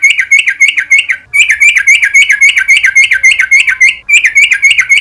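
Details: Morning lure recording of a yellow-vented bulbul meant to trigger long rapid song: a fast, steady series of sharp, slightly rising chirps, about three or four each second, pausing twice briefly, clean background.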